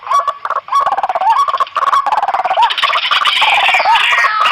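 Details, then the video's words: Noisy white-breasted waterhen calls, used as a hunting lure because the birds quickly approach calls of their own kind; loud harsh repeated croaking and gobbling notes with rising whoops, continuous and raucous. "Suara pikat ampuh burung Ruak-ruak berisik"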